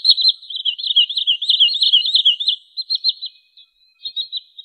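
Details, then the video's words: Wood sandpiper calling, recorded for luring birds into traps: a continuous excited chatter of high, sharp, rapidly repeated chip notes for about three seconds, then shorter broken chip groups after a brief gap. "SUARA BURUNG TRINIL SAWAH COCOK UNTUK MIKAT atau PIKAT"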